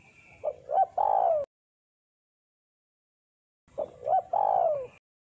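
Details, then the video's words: Spotted dove giving its deep, vigorous luring song: two identical phrases about three and a half seconds apart, each with two clipped coos and a long descending final note. "Suara Burung Terkukur Deruk Derkuku Gacor Suara Tebal Buat Pikat"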